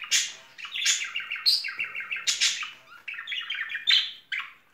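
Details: Spring courtship chatter from a pet budgerigar couple: fast, evenly pulsed chirping runs mixed with whistled squeaks and a few scratchy notes.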